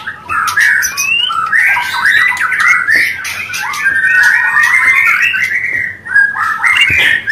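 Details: Mating song of a white-rumped shama, meant to boost breeding urge: an unbroken warbling run of slurred, wavering whistles mixed with harsh clicks and chatters, dipping briefly near the end.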